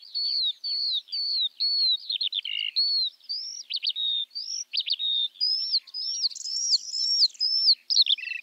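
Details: Eurasian skylark, an early spring bird of open fields, pouring out a varied chattering song of short whistles, buzzes and chirps, tumbling and restless without pause.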